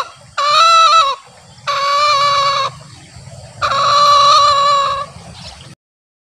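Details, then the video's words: Male green junglefowl crowing (berkokok), a call used to lure wild junglefowl during hunts or to prompt captive birds to answer. Three drawn-out, harsh, harmonic crows about one second each, with pauses between. "SUARA AYAM HUTAN JANTAN ( NGEKEK BERKOKOK)"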